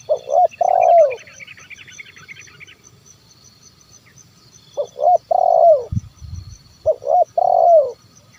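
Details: Zebra dove calling to lure wild birds: three coo phrases, each short notes then a long falling purr, spaced by pauses, with a brief chattering sound early and a low thump in the middle.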